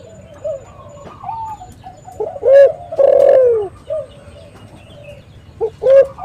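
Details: Spotted dove cooing to lure wild doves: a short note, then a long loud descending coo, then a fresh short note near the end. Soft background cooing runs throughout.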